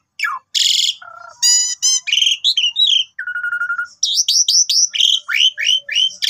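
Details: Morning song of an Asian pied starling, meant to set other starlings singing: a varied medley of harsh buzzes, stacked nasal notes, a steady mid-pitched tone and a fast series of high slurred whistles.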